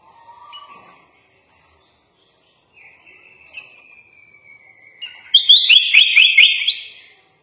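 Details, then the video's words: A sooty-headed bulbul, locally kutilang, in lively full isian song: a short low warble, a long thin whistle sliding slowly downward, then a loud, rapid series of sharp chipping notes. "MASTERAN BURUNG KUTILANG FULL ISIAN LENGKAP"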